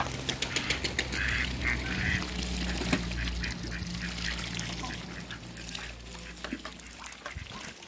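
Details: Two pairs of mallard, hybrid mallard and Pekin ducks kept in a backyard run, giving rapid bursts of quacks early on and then lower, nasal calls, with a person laughing and steady low background hum.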